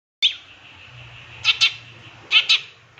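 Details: Long-tailed shrike in a master recording for training captive birds, full of fill-in phrases. A thin buzzy hiss is broken by sharp double chips, first once and then in paired bursts, over a low hum.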